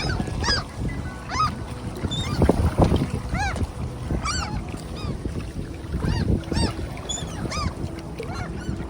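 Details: Noisy ducks being handfed at Tveitevannet in Bergen, Norway, on a windy June day, calling almost continuously with many short arched, harmonic calls in quick succession, while strong wind gusts roar across the microphone.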